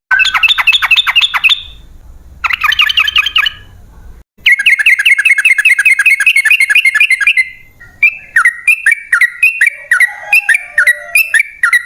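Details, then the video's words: Lure recording of the sooty-headed bulbul, called trucukan, for attracting wild birds. Dense bursts of rapid stacked chattering are followed by a lively run of short bubbly whistled phrases; low rumble underneath at first. "Pancingan Trucukan"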